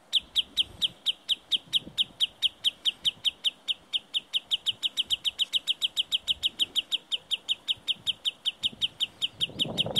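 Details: A wader in the hills around Murmansk calls while drawing attention away from its nest: a fast, insistent run of high, piercing single notes, over forty in ten seconds, with faint low rustling toward the end.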